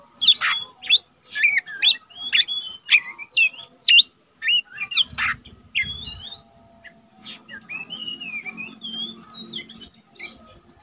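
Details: Lesser green leafbird, untrained cage bird that already sings readily, recorded for training other birds: rapid sharp chirps about two per second, then longer wavering whistled phrases, over a faint hum and a brief low rumble.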